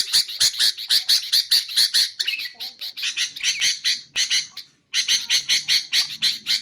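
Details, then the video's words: Sooty-headed bulbul, recorded for luring bulbuls and for training birds to sing: fast runs of harsh, buzzy chattering notes, several short bursts broken by brief pauses, with a faint low murmur beneath. "BURUNG KUTILANG untuk ocehan mantab"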